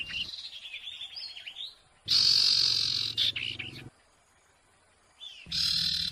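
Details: Noisy owlet calls used for luring birds: long, dense, harsh screeching bursts lasting over a second, separated by quieter stretches of softer high chatter and a near-silent pause.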